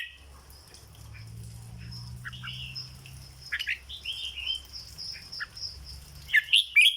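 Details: Red-whiskered bulbul kept as a cage bird, 'dok' song style: soft scattered chirps and short warbles, then a loud rapid run of sharp whistled notes in the last second, over a constant high hum and low rumble.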